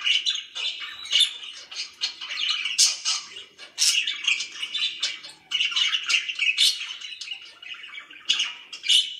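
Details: Pet budgies chatter in a quiet room, bursts of harsh warbling and squeaky chirps separated by short near-silent gaps.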